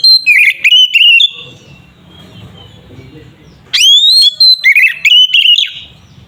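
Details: Provocation song of an Oriental magpie-robin (kacer gacor, fighting 'ngeplong' style) meant to make other magpie-robins agitated: a quick cluster of sharp whistled notes, a silent stretch of over two seconds, then a second rich, warbled whistled phrase.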